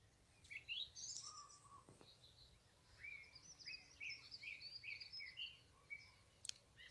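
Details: A song thrush sings loud, varied whistled and chirpy phrases over a quiet background, repeating each phrase three to five times before moving on to a new one.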